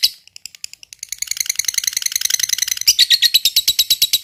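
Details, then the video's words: Fighter-type lovebird starting its 'ngekek' chatter: scattered sharp chips build quickly into a dense, rapid, buzzy trill, which grows louder and more emphatic in the final second. "Lb Fighter Ngetik Ngekek Panjang"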